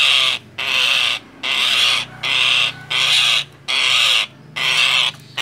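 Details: Frightened Nias hill myna giving alarm calls used to lure birds: harsh, rasping screeches, each about half a second long, repeated roughly every 0.8 seconds over a low background hum.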